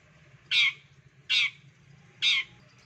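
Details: Long-tailed shrike calling to prompt other shrikes to sing: three loud, drawn-out rasping squawks spaced under a second apart above a low background hum.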